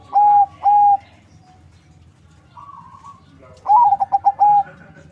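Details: Zebra dove crossed from local and Bangkok lines, farm-bred in Bekasi, West Java, Indonesia, singing as a lure: two long smooth coos, a pause with a softer distant coo, then a full phrase of stuttering quick notes ending in a sustained coo.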